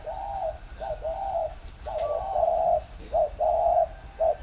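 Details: Spotted dove with a very warm 'thổ pha' voice giving plain cooing, the three-note 'cúc cù cu'. Low, mellow hooting phrases are repeated about once a second, with soft notes between them and faint rustling behind.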